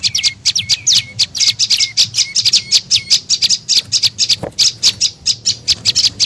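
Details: Tailorbird calling, as used to lure birds: a steady stream of shrill, clipped chirps, the first ones trailing into short lower whistles, then faster dry ticking notes with a single soft knock midway.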